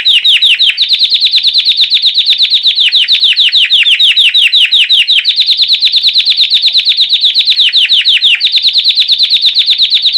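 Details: Classic bell-style campainha song of a white Belgian canary, meant to train and warm up canaries after the moult; loud continuous trilling of rapid down-slurred chirps, with brief shifts between slightly different tours.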